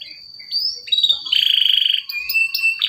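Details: Canary singing as a lure for a bird that has stopped singing: a long high whistle, then a dense buzzy rattle of rapid notes, ending in bright varied chirps.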